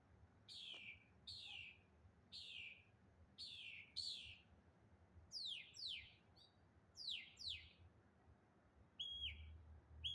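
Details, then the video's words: A single bird in the morning making different noises: repeated sharp downslurred whistles roughly every half second to second, some doubled, ending with a flatter whistled note, over a faint low rumble in the background. "good morning, one bird making different noises"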